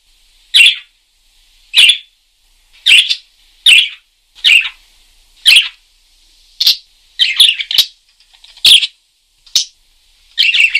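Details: Parakeet giving loud, rasping single chirps about once a second, with a quicker cluster of double chirps near the end.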